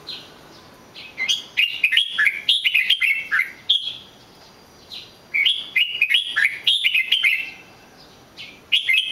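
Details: Red-whiskered bulbul delivering rapid, choppy bursts of bright whistled notes, two long bouts of fast chattering warbles with a quiet interval between them and a final short note.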